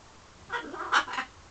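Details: Pet parrot somewhere in London, flirting with its reflection and birds beyond the window, gives a brief burst of three harsh, noisy squawk notes within under a second, indoors.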